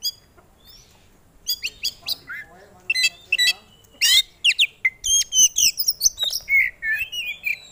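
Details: Oriental magpie-robin, a popular competition bird, pouring out varied song: a run of sharp chips and short slurred notes, then a dense rapid series of loud squeaky and whistled phrases.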